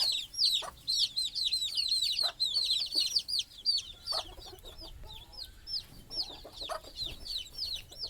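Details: Baby chickens chirp at night beside their mother hen, who sleeps on a stick at the nest. Rapid, high, falling peeps crowd the opening seconds, then thin out into scattered cheeps over a few faint low clucks.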